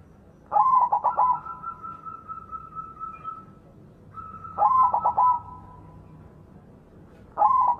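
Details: White zebra dove singing loudly, its song used as a lure to set silent doves singing: a quick burst of four or five throaty rolling coos, then a long steady hum, repeated about four seconds later.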